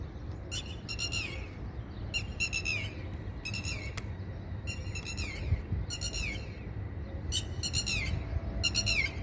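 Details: A red-wattled lapwing parent nesting on a Dubai campus rooftop in spring gives a distraction call to lure an approaching person from its four chicks: loud, shrill, rapidly repeated bursts about every second, over low rumbling.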